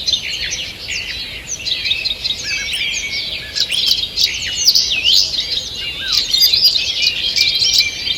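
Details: Several birds sing through a forest morning on 2 June 2023, a continuous high chorus of warbled phrases, chirps and slurred whistles that grows fuller and louder in the second half.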